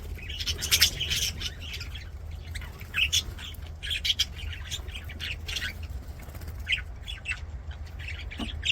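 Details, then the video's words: Several budgerigars in an aviary sing as they play, bursts of squawky chirps and raspy warbling coming in clusters with brief quieter gaps, over a low background hum. "BUDGIES SINGING PLAYING"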